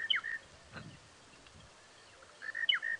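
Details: Monotonous Lark calling at sunrise on a safari drive in a South African game reserve on 25 March 2017: a short whistled phrase of a few quick notes repeated after about two and a half seconds, with a soft low knock and faint hum between.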